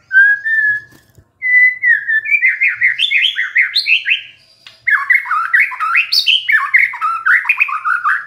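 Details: White-rumped shama bursting into song at a lure while stressed: a clear, drawn-out whistle, then a long, rich stream of stepped, warbling phrases climbing and tumbling without a break.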